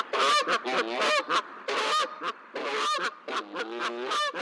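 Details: Geese honking on hatch day at the nest, with three newly hatched goslings visible and two more eggs close to hatching; loud nasal honks in uneven bursts, roughly one each second, with some overlapping.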